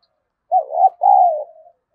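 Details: Single cooing phrase from a decoy spotted dove calling to incite fighting: a short wavering coo, then a longer sustained coo that slowly falls and fades.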